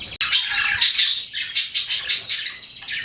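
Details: Pet budgies chirping loudly up close: rapid, scratchy warbled chatter of squeaky notes pulsing several times a second.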